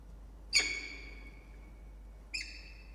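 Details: Wild peregrine falcon at a wooden nest box atop a water tower at Charles Sturt University near Orange, New South Wales, Australia, 13 October 2021, 10:14; two loud, short, harmonic-rich calls with abrupt starts, nearly two seconds apart, over faint steady hum.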